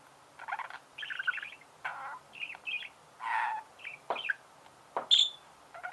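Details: Budgerigar chatter made of separate chirps, buzzy squawks and short rising whistles, with one sharp high note near the end.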